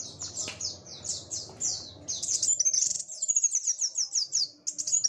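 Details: Sunbird, known locally as kolibri wulung, singing vigorously while dancing about: rapid high chittering song of short descending sweeps, thin and sibilant, in dense bursts growing louder after the second second, with faint low background rumble early on.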